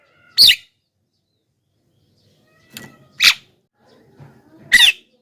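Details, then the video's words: Javan myna used as a lure for wild birds, giving three harsh, scratchy squawks spaced one to two seconds apart, with faint low background murmurs between notes. "suara BURUNG JALAK KEBO,gacor menggelegar,semua jalak kebo auto nyahut"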